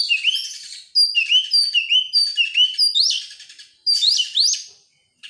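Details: Oriental magpie-robin song meant to lure other birds into singing: a string of short clear upslurred whistles repeated in even sequence, then loud buzzy sweeping phrases before silence.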